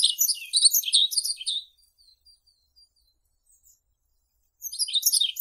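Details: Yellow-throated bunting song phrase of fast, high chirps ending after about one and a half seconds, a few faint soft notes in the gap, then a new phrase of twittering begins near the end.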